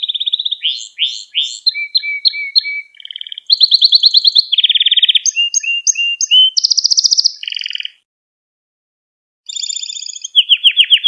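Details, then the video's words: Canary lesson song meant for training young canaries, a long varied run of buzzy and whistled tours at high pitch, each syllable repeated several times before switching, with a short pause near the end before a rolling trill resumes. "Kanarya Ders Ötümü ve Kanarya Sesi"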